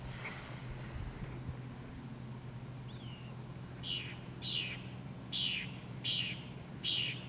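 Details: Northern mockingbird in song, Cape Cod, Massachusetts, 14 October 2023. After a quiet start, a high, buzzy two-part phrase repeats about every half second, six times, over a constant low drone.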